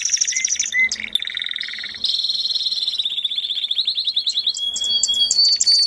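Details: Canary song, tuneful and varied: short whistles and a lower trill, then a sustained fast pulsing trill that rises and speeds up, closing with clipped high notes.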